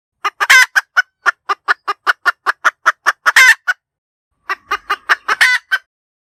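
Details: Cackling hen for decoy use: a long, regular string of sharp, clipped clucks with two loud, grating squawks. A brief quieter gap is followed by a faster burst and a final harsh note.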